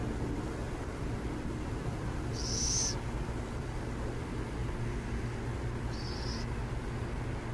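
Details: Burrowing owls near San Jose give one loud, high, raspy screech, then a fainter, shorter one about three and a half seconds later, over a continuous low rumbling background.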